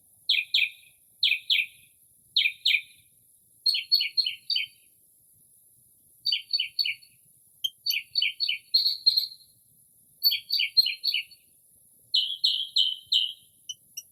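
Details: Northern mockingbird singing late at night in early spring outside a home, mimicking various birds: varied bursts of rapid, repeated buzzy chirps, each phrase given two to four times before switching, in a quiet night setting.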